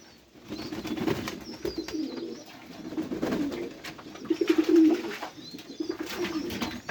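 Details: Pet pigeons cooing indoors: low throaty rolling coos repeated in several bouts, with faint higher chirps and scuffling in the background.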